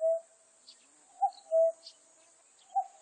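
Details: Common cuckoo calling: a clear two-note cu-coo, a short higher note dropping to a longer lower one, heard once in full with an extra lone note on each side. Faint high hiss in the background.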